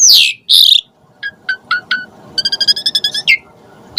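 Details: Asian pied starling gacor song, a varied isian used as emotional bait for caged starlings; two loud harsh screeches open, then short clipped double notes, and a fast stuttering run of ringing notes with a faint hum beneath.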